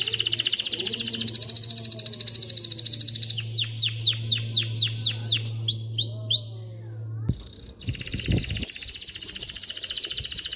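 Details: Canary song played to teach chicks singing and bring females into mating readiness: a long high rolling trill, a burst of descending sweeps, upslurred notes, a brief pause, then another steady trill; a low hum runs beneath.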